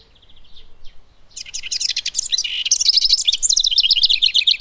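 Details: A wren singing loudly to defend its territory: a fast, rough, cascading rush of high trills and rattling notes, about four notes a second.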